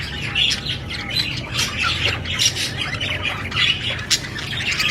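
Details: Budgie squawks and chirps come in uneven bursts, some sharp and loud, with softer twittering between and a constant low hum.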